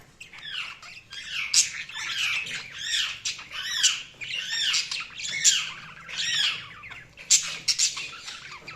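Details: Budgerigars chatter and chirp continuously, a dense run of quick rising and falling high warbled notes with sharp squawky accents, steady and lively throughout, with no other clear sounds.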